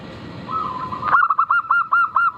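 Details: Local zebra dove song used as a lure to set other birds singing. Against a steady humming tone comes a quick run of about seven short, ringing cooing notes, evenly spaced and slightly nasal.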